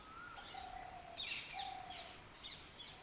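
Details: Morning chorus of birds at dawn: two drawn-out gentle whistles on a low steady pitch, overlapped by quick high twittering chirps in short bursts, with background hiss throughout.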